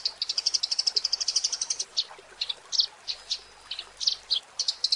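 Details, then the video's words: Eurasian tree sparrow giving lively 'gacor' chatter for a songbird training recording: a quick string of high chirps, then separate sharp notes spaced irregularly, over a soft background hiss. "Suara Burung Gereja | Gacor"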